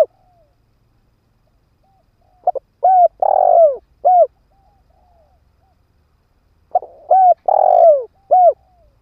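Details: Decoy spotted dove, ground type, calling to attract wild doves. Two phrases roughly four seconds apart, each a couple of short notes, a curved coo, a long purring roll and a last crisp coo, with no other sounds.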